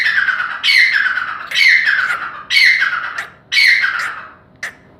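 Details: Grey francolin, known in Hindi as teetar, giving loud harsh grating notes in four long bursts about a second apart, each falling slightly, then a short sharp click at the end.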